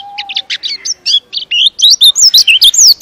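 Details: White-eye, locally called pleci, in a long, dense training-master song: rapid high chirps and looping whistled notes, speeding up into tight overlapping phrases, with a faint low whistle at the start.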